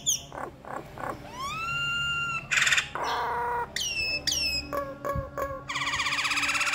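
Nias hill myna giving a loud, varied run of long rising whistles, sharp slurred notes and harsh buzzy rattles, with a faint low hum behind.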